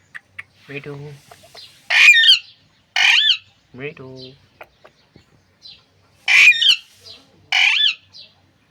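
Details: Talking Alexandrine parakeet, filmed on an iPhone: loud harsh squawks in short bursts of about half a second, alternating with lower, voice-like muttering phrases.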